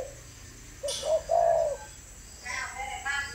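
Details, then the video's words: Spotted dove, a bird raised and trained in captivity, giving a short run of low hollow coos: a brief note, then a longer throaty one, followed by quieter mid-pitched sounds that may be voices in a small room. "chim cu gáy"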